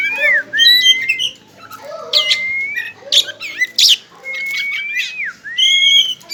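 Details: Pet Oriental magpie-robin (kacer togar) in a cage delivers a rich, varied song: looping slurred whistles that rise and fall, long steady whistled notes, and bursts of sharp high chips and trills, with short pauses between phrases.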